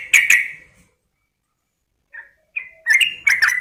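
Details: Female yellow-vented bulbul calling a male: two sharp chirps, a long silence, then soft rising notes building into a burst of harsh, chattering chirps.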